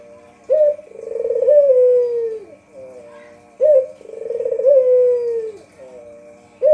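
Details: Barbary dove, white variety, recorded to lure birds: repeated coos about every three seconds, each a sharp opening note, a vibrating rolling section and a long, gently falling low tone.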